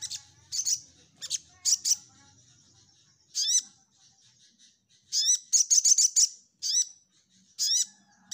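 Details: Orange-headed thrush (sogok ontong) singing loudly in 'nyecret nembak' style: sharp upslurred whistles and quick buzzy stutters, with a fast series of high chattering notes in the middle.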